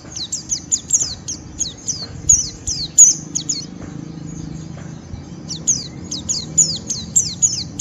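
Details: White-eye giving rough ngeriwik song, used as a lure to stimulate other white-eyes to sing: rapid high thin chirps in quick runs, a gap near the middle, then more bursts; low background hum.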